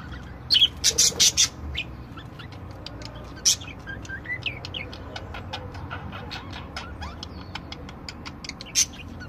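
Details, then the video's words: Different budgerigars singing: an early burst of five loud, scratchy chatters, then a fast run of clicks, ticks and short whistled notes, with a few more loud squawks later. "Chant perruches"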